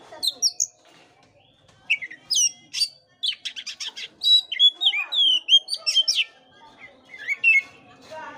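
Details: Oriental magpie-robin song used as a lure to stir a listless bird into singing: quick bursts of sharp whistled notes and rapid buzzy trills, with sliding whistles rising and falling between short pauses.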